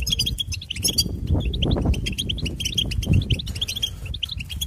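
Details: Twittering goldfinch song of rapid high chirps and short trilled phrases, almost unbroken, set against continuous low-pitched background rumble.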